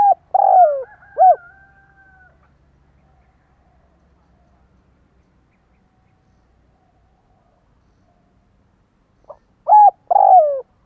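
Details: Spotted dove kept as a decoy, giving bursts of mellow coos at the start and again near the end, with long silence between and a faint low rumble early on.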